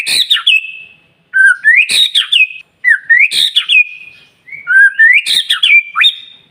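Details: Persistent white-rumped shama song used to stimulate other shamas to sing. Four loud phrases, each a rising whistle that ends in a harsh burst and a held high note, separated by brief silences.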